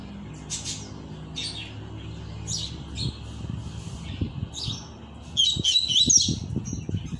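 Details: A double-collared seedeater coming out of moult sings high, thin chirped notes in short bursts, building to a quick twittering phrase near the end, over a low background rumble and clicks.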